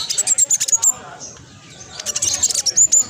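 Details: Spotted black sunbird chattering at speed to coax silent birds into song: a burst of high, thin, clipped notes, a brief lull, then another quick run of piercing chips.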